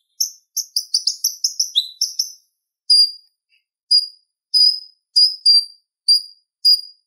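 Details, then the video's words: Purple-throated sunbird used as a singing model for kolibri ninja: a quick series of bright, high, slightly descending chips, then single clear piercing notes repeated about every half second to one second. "Suara Ocehan Konin Gacor Tajam Ampuh Buat Masteran Kolibri Ninja"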